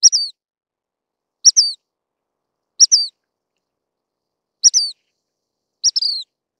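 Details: Sharp, high-pitched downward-sliding calls of a Dark-sided flycatcher, five short notes spaced about one to one and a half seconds apart, each with a brief lead-in tick, with no other sound.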